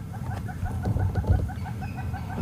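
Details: Hornbills, heard on an afternoon safari drive in Sabi Sands, South Africa, under heavy clouds with wind, call faster and faster: a fast, even series of hollow clucking notes, about five per second, over a steady low vehicle rumble.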